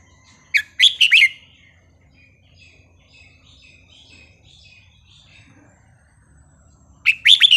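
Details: Red-whiskered bulbul, a cage bird, sings a wild-style counted-phrase song: a short run of quick liquid whistled notes, a pause with faint softer chirps, then another burst of bubbly whistles.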